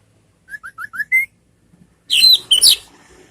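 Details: Orange-headed thrush (anis merah) song used as a lure to make other thrushes answer, in the ngeriwik style: five short rising whistled notes, then after a pause a loud, dense burst of high, scratchy, varied phrases.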